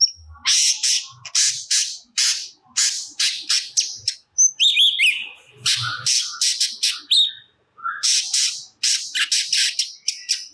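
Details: Crested jay (cucak cungkok) in full song, a recording used as training audio for songbirds such as magpie-robins: a rapid series of harsh, noisy chattering bursts with brief whistled notes between them, repeated in quick runs with short pauses.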